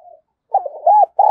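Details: Spotted dove kept as a decoy to call in wild doves: a brief soft note, then a loud rolling coo phrase with a drawn-out arched note and the start of another.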